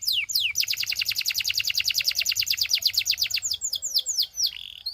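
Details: Belgian canary singing to tempt other canaries into song: fast, even trill of rising-then-falling whistled notes, about seven per second for three seconds, then slower sweeping notes and a short buzzy phrase.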